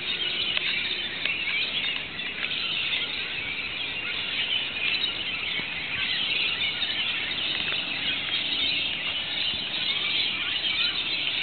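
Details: Local Rainbow Lorikeets with other birds in Australia, calling noisily once rain started following a run of sweltering days; steady overlapping high squeals and screeches fill the whole stretch without pause.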